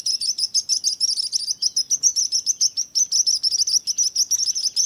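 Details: Birds chirping in a calming nature mix: a fast, steady stream of high, sharp chirps, about three or four each second, with no other clear sounds.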